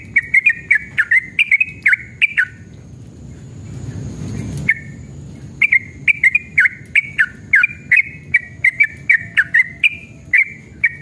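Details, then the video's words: A Yellow-vented bulbul, agitated, gives rapid runs of short, bubbly chirping notes around a bright midrange in quick bursts, with a brief rushing noise break midway; used as a lure to make other bulbuls sing back. "trucukan gacor EMOSI ROPEL PANJANG"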